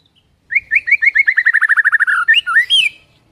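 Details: White-rumped shama song, full varied repertoire: a fast regular series of about fifteen short downslurred whistles, ending in looping rising and falling flourishes.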